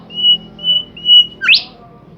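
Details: Bimoli bird singing: three drawn-out high, steady whistles, then a fast upward-sliding note that ends the phrase.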